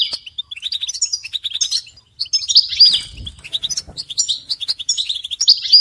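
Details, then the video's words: European goldfinch song used to stimulate caged male goldfinches to sing, with mating calls: dense, rapid twittering and tinkling notes with buzzy trills, several birds overlapping almost without pause, a brief gap near two seconds and a faint low thump. "بتبتة الحسون تحفيز الحسون على التغريد والهيجان علاج صمت الحسون goldfinch stimulation"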